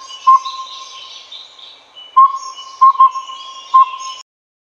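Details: Clear, evenly pitched whistled toots from a collared owlet (Glaucidium brodiei pardalotum) in Taiwan's low to mid-elevation forest: one note, a pause, then a quick pair and a single, backed by a thin steady tone and droning insects.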